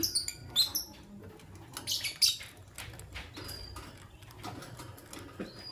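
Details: Morning chirping from Fischer's lovebirds, one white albino and one pastel green: sharp high squeaky notes in quick clusters near the start and middle, plus brief thin whistles, over dry tapping and scratching noises.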